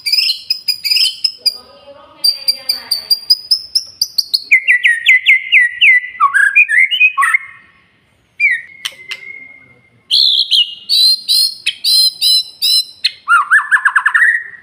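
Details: A male white-rumped shama delivers a varied song of warbled whistles, buzzy descending phrases, a long steady whistle and rapid stuttered trills, with several brief silent pauses.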